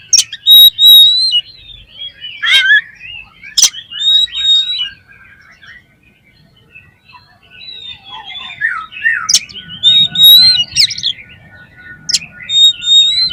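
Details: Oriental magpie-robin (kacer) singing as a lure to spur other kacer: bursts of sharp high whistles and chattering phrases separated by a quiet pause, with faint low background hum.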